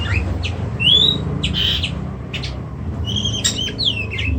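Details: Kacer, the Oriental magpie-robin, kept caged, sings clear rising whistles and buzzy bursts, ending in a cluster of sharp high notes, against constant low rumbling noise.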